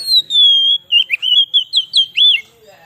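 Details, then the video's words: White-rumped shama song used to attract wild shamas: a long, steady high whistle gliding slightly downward, then a run of short looping whistled notes, clear and loud against a quiet background. "suara burung kacer cocok buat pikat burung kacer di huta liat"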